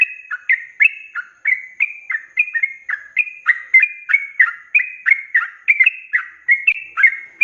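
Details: Sooty-headed bulbul (trucuk) giving fast 'ropel' song meant for tutoring cage birds: an unbroken string of bright, bubbly slurred whistles, each note dropping or rising, delivered at a brisk steady pace.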